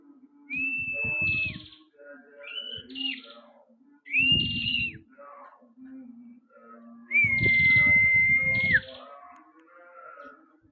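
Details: Active prinia song of long, steady whistled notes ending in a drop, mixed with buzzy trills and quick rising notes, over low rattling knocks.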